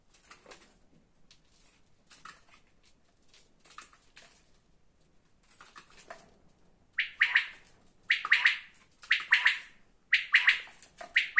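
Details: Quail call beginning with faint, scattered notes that swell into loud, repeated buzzy three-note phrases about once a second in the second half.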